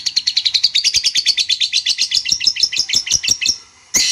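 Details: Long-tailed shrike lure song meant to provoke a rival into answering: a fast, even chatter of sharp high notes, about eight per second for three and a half seconds, ending in a harsh burst.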